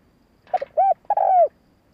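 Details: Spotted dove cooing to lure and excite males, a lure call; loud, low mellow coos around the middle pitch, a short double note followed by two longer drawn-out coos, the last slurring slightly downward, in quiet surroundings.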